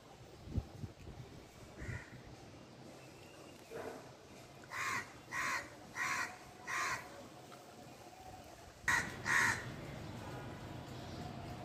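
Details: Crow cawing from its nest: a run of four evenly spaced, rasping caws about half a second apart, a pause, then two louder caws close together, with a few fainter calls earlier over quiet background hiss.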